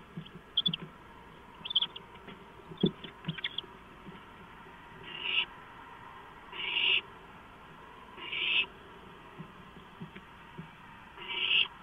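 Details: Several owlets squabble over a large rodent delivered to their nest on 23 March 2015, all grabbing at it with beaks and talons. Scattered clicks and scuffling come first, followed by five hoarse, hissing screeches spaced about one and a half seconds apart.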